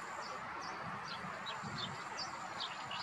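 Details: Common tern at a gravel pit in Blato, Zagreb, Croatia, 26 May 2022: short, high, sharp downslurred calls repeated several times a second over a steady broad rushing background with faint low thumps.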